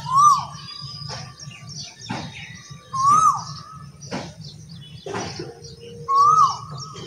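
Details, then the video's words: Asian koel singing, a clear, whistled rising-then-falling 'ko-el' note about every three seconds, over a low steady hum and some scattered clicks. "Asian Koyal Singing song"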